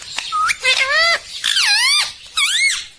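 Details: Green rose-ringed parakeet giving loud harsh squawks, four rasping calls within three seconds, each with a sharp rise and fall in pitch and rich overtones, in a quiet room.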